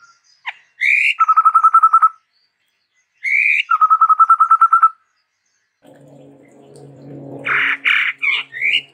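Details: Sumatran endemic chestnut-rumped babbler singing energetically: twice a rising note leads into a fast, even trill of about ten pulses. A low rumbling background noise follows, then a few harsh rasping notes.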